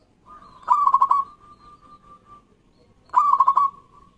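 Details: Local zebra dove giving two loud, trilled coo phrases roughly two and a half seconds apart, each preceded and followed by a faint level hum-like coo from other doves; used as a lure for doves that will not sing.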